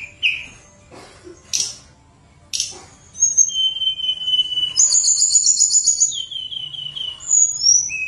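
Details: Tledekan gunung, or hill blue flycatcher, in energetic flute-like song meant to coax reluctant birds into singing: isolated sharp chips, then long pure whistled notes and a trilled high phrase, some level and some sliding downward.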